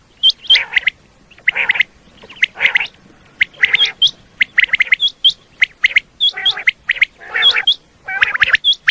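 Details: Common quail calling for quail hunting in Pakistan, in sharp, liquid bursts of three clipped notes repeated about once a second, with rougher, lower chattering mixed in.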